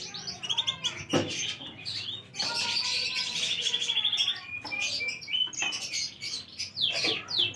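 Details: Domestic canary recorded on August 2, 2025, singing a rich, loud, high-pitched song of rapid trills and twittering notes, with a long buzzy rolling trill in the middle and bright chirps throughout.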